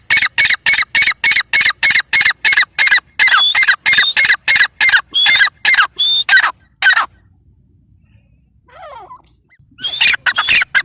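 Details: Teetar, the grey francolin, giving very fast, evenly spaced harsh notes with some whistled ones, about seven seconds of calling, a pause with faint sounds, then calling again.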